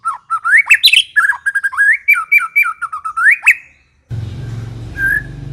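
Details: Lively white-rumped shama in ngekek song: a continuous stream of warbled, looping whistles and chips for about three and a half seconds, ending abruptly; a low rumbling noise with one faint whistle follows.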